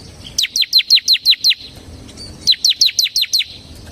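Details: Semi-type bar-winged prinia in lively ngebren song, recorded as a lure and tutor for other songbirds: two bursts of seven piercing, high descending chips delivered evenly and quickly, split by a brief quiet gap.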